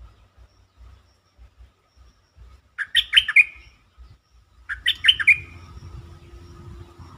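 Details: Bulbul lure song meant to get birds excited: two separate bursts of rapid, bright, warbling whistled notes about two seconds apart, with soft low thumps in the background and a faint hum near the end.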